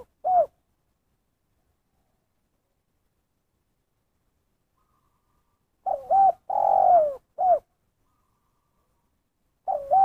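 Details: Spotted dove calling in 'kuk satu' style with long gaps. An isolated short coo, a silent stretch of about five seconds, then a full phrase ending in a single kuk. A new phrase starts at the close.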